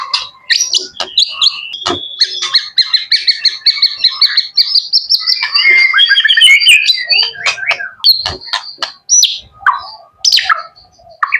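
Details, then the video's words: Young male white-rumped shama, a pet bird, producing a long sequence of high sustained whistles and rapid chirps, with sharp harsh notes and clicking interjections. "MB MUDA HOT MEWAHH"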